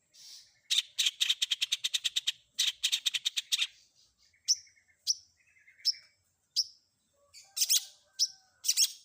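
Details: Long-tailed shrike mixed filler song: a fast buzzy rattle of harsh notes, then single clear downslurred whistles spaced about half a second apart, ending with loud harsh bursts.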